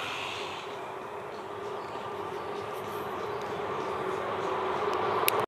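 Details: Steady low rumble of a passing train or vehicle with broad noise throughout and no animal calls.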